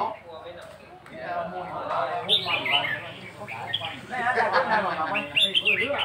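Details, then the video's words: Red-whiskered bulbul song for counted song phrases: bright warbled and chirped notes in quick uneven bursts, muffled at first and then clearer after two seconds, over steady background music. "เสียงนกกรงหัวจุก นกกรงหัวจุกนับดอก"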